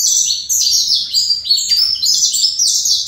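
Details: Captive saffron finch of the fibra line pouring out a nonstop stream of high, sharp whistled notes, densely packed and slightly buzzy, with barely a break over three seconds.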